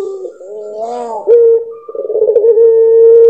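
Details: Puter pelung dove cooing: a rising and falling harmonic phrase opens into a clear steady tone, then a stuttering pulsed section leads into a long level note.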